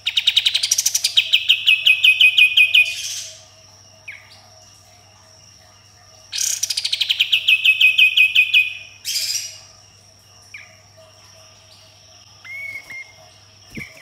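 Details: Sooty-headed bulbul gacor in tembakan and harsh besetan style: two long rattling volleys of rapid sharp notes sliding downward, each ending in a rasping buzz, separated by quiet gaps with a few thin chirps and a clear whistled note.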